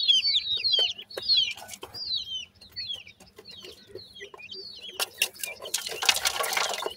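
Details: High, thin grey francolin chick calls: quick downward-slurred peeps in a rapid irregular series that fades, followed by a burst of hissing noise near the end.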